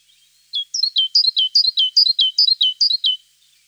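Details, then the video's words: Tit song made of quick, repeated downslurred phrases, each a high note dropping to a lower one, delivered about ten times in a lively, regular rhythm over faint background hiss. "Голос Синицы."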